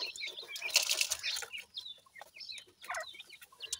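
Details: Young francolin chicks peeping busily, sharp high chirps crowding one another, mixed with a burst of rustling or flapping noise near the start.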